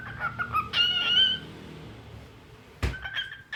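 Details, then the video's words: Cockatiel song with short chirps, a louder drawn-out whistled phrase, a pause, then a sharp knock and more chirps. "Adorable Cockatiel Crazy Bird 🐦 Cute Singing Sounds"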